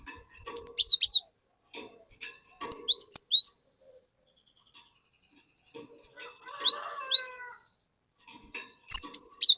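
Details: Lure song of a cinereous tit (glatik) to get other glatik singing; four short phrases about every two to three seconds, each a quick string of high whistled notes dropping into slurred lower ones.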